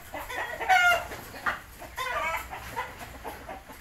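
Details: Three-month-old Indio Gigante chickens calling with harsh, harmonic clucks and short squawking notes in irregular bursts, one louder cry near the start, over a busy background hum.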